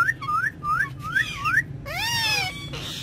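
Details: Ringneck parrots in a car: four rising whistled phrases in a quick row, then a rich harmonic squawk, all over the low drone of the engine.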